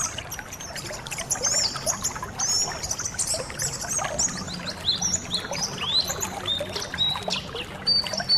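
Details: A colony of caged white-eyes twittering in a dense stream of high, quick chirps and short whistled phrases, layered over the steady splashing and pouring of water.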